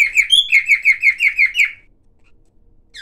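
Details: Silver cockatiel giving one brisk series of about ten down-slurred chirps with a higher whistled note early on, followed by quiet and a final brief chirp.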